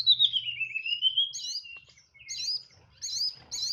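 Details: Tledekan songbird in 'nyeklek' style: a long descending slurred whistle followed by three or four short looping high phrases spaced about half a second apart.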